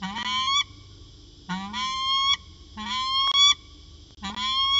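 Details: Peregrine falcon pair in afternoon exchange at CSU Orange, 13 January 2019, about 4:19 pm; four drawn-out, rasping, slightly rising wails roughly every second and a half, with clicks between and a steady mechanical hum.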